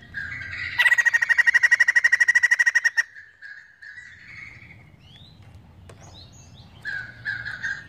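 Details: Vigorous White-crested laughingthrush song: a sustained, rapid series of loud pulsed chattering notes for over two seconds, then softer wavering phrases and a brief renewed outburst.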